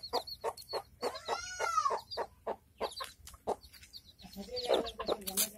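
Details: Village hen with chicks, rapid clucks with a longer arched, harmonic call in the middle, followed by scattered clucks and a brief higher squawk near the end.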